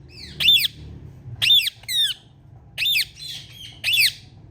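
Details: Female Indian ringneck parakeet calling loudly indoors: four harsh, arched squawking chirps at about one-second intervals, each a quick rise and fall, with a softer rasping note between, over a faint low room hum.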